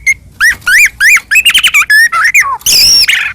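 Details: White-rumped shama of the Medan type singing hard to provoke rival shamas into song: a run of rising, curling whistles gives way to fluty slurs, a falling note and a final harsh scratchy burst.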